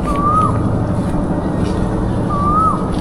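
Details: An Asian koel in a village at Bagher Bazar, Shalna, Gazipur, Bangladesh, gives two clear, rising whistled notes about two seconds apart, over a steady low rumble of traffic and wind.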